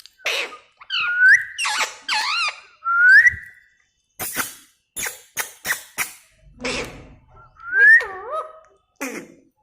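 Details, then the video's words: Caged talking parrot alternates upslurred whistles with warbling, wavering chatter and bursts of sharp broadband clicks, with brief pauses between phrases. "talking parrot sweet voice of Parrot"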